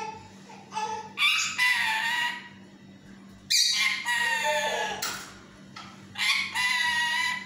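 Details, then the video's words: Pet yellow talking parrot giving three loud, drawn-out raspy squawk phrases with speech-like tonal bands, each lasting about a second, over a low hum. "Peeko is talking parrot || Peeko in his talking mood"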